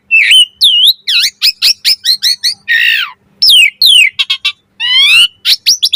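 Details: Asian pied starling singing a mompa variation, a recording meant as a master for teaching and luring starlings. A rich, fast run of varied whistles, upward sweeps, clicks and one rasping downslurred note.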